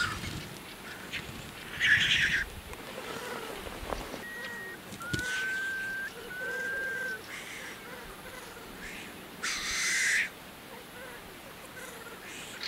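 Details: Black grouse at a lek in April: two loud, harsh hissing sneezes stand out against a soft, low bubbling chorus, with thin whistled notes from other birds between.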